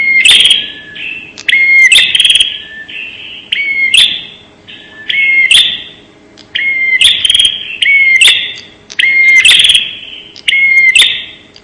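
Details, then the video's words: ['Crisp bar-winged prinia lure call: repeated phrases of a thin whistle and a harsh buzzing rattle, about nine phrases in quick succession, each trailing off in echo.'] "suara pemikat burung prenjak super jernih"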